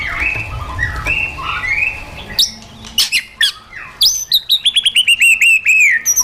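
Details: White-rumped shama with wild-style song for training caged birds. Softer warbled notes over low background noise open the clip, then crisp high whistles and a fast run of downslurred chips grow louder toward the end.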